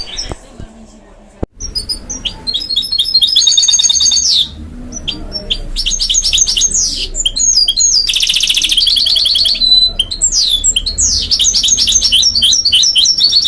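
A goldfinch-canary mule sings a fast, bright string of high twitters, trills and buzzy rolls.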